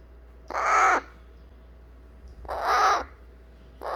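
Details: Baby eclectus parrot whining to be picked up after eating baby food: two drawn-out, hoarse squawks about two seconds apart, with a third beginning at the end, and a quiet room between them.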